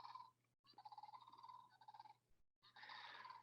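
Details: Sandhill Crane giving loud, deep, rolling, echoing trills in three bursts with short gaps, over a faint steady electrical hum; a call that carries for miles when the birds fly.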